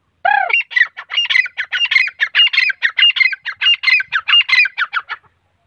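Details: Male and female grey francolin (teeter) give a loud sliding, downslurred opening note, followed by a fast, steady series of around twenty-five scratchy, metallic notes lasting five seconds, with a clean quiet background.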